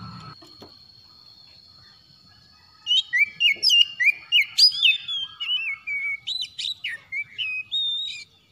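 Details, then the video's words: Morning call of an Oriental magpie-robin: near silence for three seconds, then a lively series of loud, sliding whistled notes, around four per second, fading toward the end. "PANGGILAN KACER PAGI HARI"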